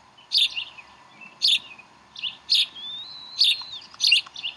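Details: Bald eagles at the Decorah nest, 11 April 2012, during a chick feeding. Sharp chittering chirps sound in clusters about once a second, and a long, faint, rising-then-falling whistle sits between them.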